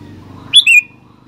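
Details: A single short phrase from a sooty-headed bulbul in active song: a sharp high note slurring down into a longer bright note, over a low background hum.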